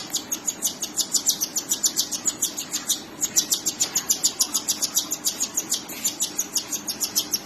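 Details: Cockatiel chicks being fed by their mother, giving rapid, raspy, hissing begging pulses of about three to four per second, steady and unbroken through the whole stretch.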